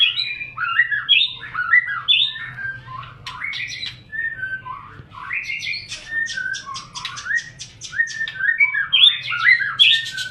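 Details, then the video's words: White-rumped shama singing as a lure to make other shamas sing, morning or evening: fluting whistled phrases followed by dry, rapid clicking and rattling notes, then more varied whistles, sung continuously. "Pancingan murai batu untuk pagi dan sore hari"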